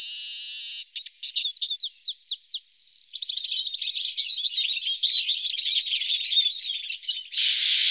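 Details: Eurasian siskin feeding on alder cones: a wheezy, buzzy note opens, then sharp whistled slurs, a brief buzz, a dense stuttering twitter, and a closing drawn-out wheeze.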